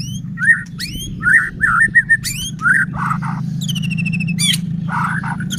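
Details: Energetic white-rumped shama song played to make other shamas sing and become agitated: sharp upward-sweeping whistles alternating with repeated rich mid-pitched notes, then a buzzy trill, all over a constant low hum.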